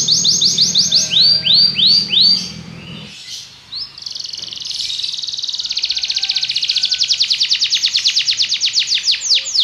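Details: Belgian canary singing a rapid trill, then arched whistled phrases, a short pause with faint background hiss, and a long accelerating, very regular trill that grows louder.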